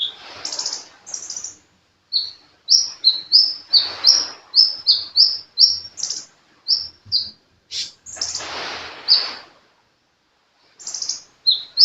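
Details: Sunbird in lively song, pouring out short, high, sharp whistled notes, some slurred up and some down, in quick irregular bursts with brief pauses and a softer scratchy passage in between.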